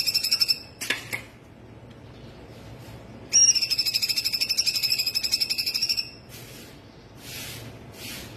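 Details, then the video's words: Cungkok laughingthrush delivering full tembakan song for tutoring other birds: a short sharp note cluster, a pause, then a fast, steady high trill of repeated pulses for nearly three seconds, followed by quieter breathy notes. "CUNGKOK FUL TEMBAKAN"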